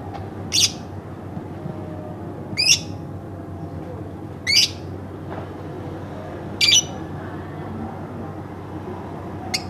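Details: Pet lovebird kept at home, giving short sharp high chirps about every two seconds, five bursts in all, over a low steady background hum.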